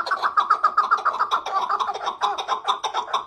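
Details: Chukar partridge calling: a rapid, steady run of short clucking chuk notes, about four per second, overlapping and dense as if from more than one bird, with harsher notes toward the end.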